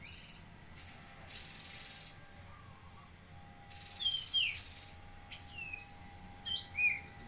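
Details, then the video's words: Bulbul (cucak kinoi) singing actively in Jambi: short whistled notes sliding downward, spaced a few seconds apart, between bursts of loud hissing noise. "Burung Cucak Kinoi Gacor"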